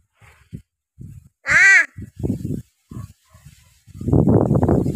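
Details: Pet talking crow that reportedly says only "ho" and "kay", offered a snack: a single loud, arched, harmonic-rich caw cuts in among quieter human speech and low household sounds, followed by louder talking.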